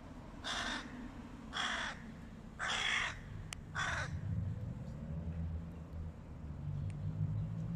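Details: Four rasping caws come roughly once a second from a flock of hooded crows in a fight with a stray cat, followed by a few seconds of low rumble.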